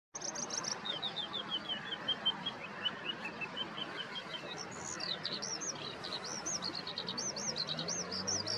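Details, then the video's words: Eurasian skylark singing in the morning at a vegetable garden east of Yanagishima Sports Park, 15 May 2021, filmed on a Nikon COOLPIX P1000; a continuous rapid stream of high chirping, trilling and looping whistled notes over a faint low hum. "Eurasian Skylark"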